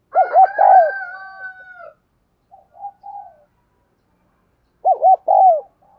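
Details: Decoy spotted dove calling to attract wild doves. Coos overlap a longer, higher drawn-out call at the start, a few soft notes follow, then a closing phrase of three hollow coos.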